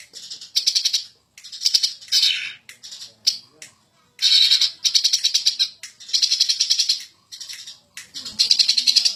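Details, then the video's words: Agitated champion greater green leafbird singing in ngentrok style: bursts of rapid, buzzy, stuttering notes, about eight phrases separated by short silences, each a quick rattling pulse train. "Burung Cucak Ijo Ngamuk Ngentrok Super Gacor Juara"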